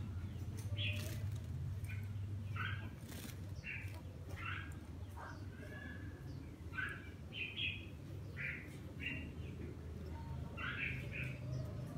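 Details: Bathing red-whiskered bulbul delivering a steady run of short, bright whistled phrases, a little over one per second, some rising, others doubled. Low hum and faint water sounds underneath.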